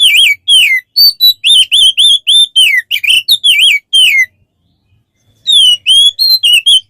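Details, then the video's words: Kacer, the Oriental magpie-robin, in a tutor recording for training songbirds: a run of clear whistled notes, each curving and dipping, about two per second, a pause of over a second, then more rising and falling whistles. "Masteran untuk burung Kacer"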